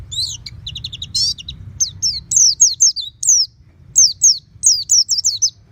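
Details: Pet oriental white-eye in full open-beak ngeplong song: clusters of quick, high, downward-sweeping whistled notes, delivered in short bursts with brief gaps, against a quiet low hum.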